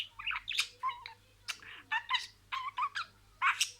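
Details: Pet budgerigar talking in imitation of words. Short scratchy, voice-like phrases carry some tonal squeaks, separated by brief pauses.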